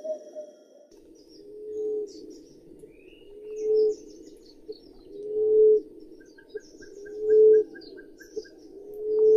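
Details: Common emerald dove (Chalcophaps indica) calling: soft, low, mournful hoots, each swelling then fading, repeated about every two seconds; faint small-bird chips in the background.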